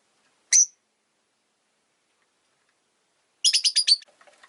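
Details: Rosy-faced lovebird chirps: one short shrill note, a pause of nearly three seconds, then a rapid run of about six harsh chirps trailing into soft chatter.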